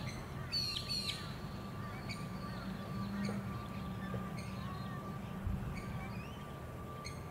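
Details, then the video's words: Eurasian coot filmed on the Sunshine Coast, Queensland, in April 2021, giving a burst of sharp, harsh, ringing notes near the start, then scattered short clipped calls over a steady high insect-like drone and low rumble. "Eurasian Coot"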